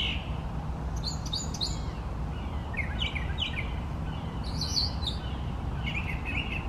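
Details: Brown thrasher, male, singing at length from one of three trees he used; a series of jumbled chirpy phrases, several in doubled bursts, ending with a repeated buzzy note, over low steady noise.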